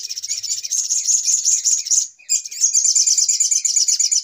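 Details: Sogok ontong, recorded as a lure for trapping birds: an unbroken fast, high, buzzy chattering trill, briefly cut off near the middle and then resumed just as rapidly.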